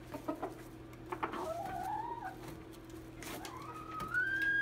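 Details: Red junglefowl matched against a domestic chicken: two rising, drawn-out crowing notes, the first wavering and sliding upward, the second climbing and ending high and strained, over faint clicks and a steady hum.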